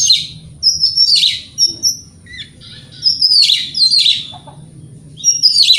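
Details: Morning song of a white-rumped shama, used to goad rival birds into replying: short bursts of sharp, high whistled and chattering phrases separated by brief pauses, over a faint low background hum.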